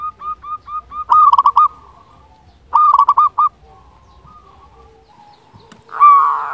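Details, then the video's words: Singing local zebra dove used to make lazy caged doves sing: a series of rising coos, then two quick staccato cooing bursts, ending with a louder, harsher sound. "Perkutut Lokal Gacor Suara Ampuh Untuk Pancingan Burung Perkutut Agar Bunyi"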